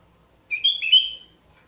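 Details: Sooty-headed bulbul singing lively, its song used as a lure to attract other birds; a single short whistled phrase of slurred, liquid notes lasting under a second, rising then dipping slightly, against an otherwise quiet background.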